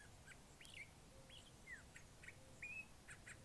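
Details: Curve-billed thrasher delivering multifaceted song: a series of distinct whistled notes, upslurs, downslurs and a drawn-out level whistle, spaced about every half second against quiet background noise.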